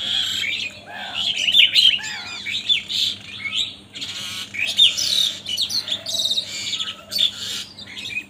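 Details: Crows fighting with wild birds over food: harsh, scratchy, overlapping squawks and chattering calls in rapid bursts, several birds at once, with a low steady hum behind.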